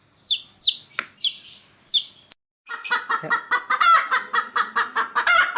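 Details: Pet chickens, one-week-old chick and six-month-old hen featured: several high falling peeps, a brief silence, then a fast run of lower, throaty clucking notes with some raspy overtones.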